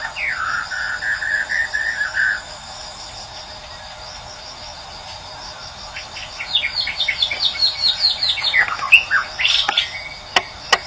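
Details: Wild Medan white-rumped shama recorded in nature, used as a morning lure to get silent birds singing: clear whistles held near one pitch, then a quick run of high, varied, rising and falling notes over a steady pulsing cricket chorus.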